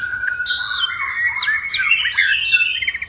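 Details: White-rumped shama singing aggressively to spur other birds to sing: a long steady whistle, then a dense, fast jumble of warbled and slurred notes, with high sharp downward strokes above.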